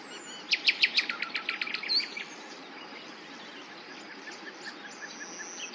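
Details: Common nightingale singing: a fast burst of loud, sharp repeated notes for about a second and a half, then a fainter series of soft, evenly spaced chirps against a steady low hiss.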